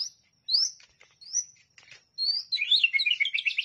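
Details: White-rumped shama (murai batu) masteran song: clear whistled notes sliding upward, separated by short pauses, then a dense burst of fast, varied high twitters.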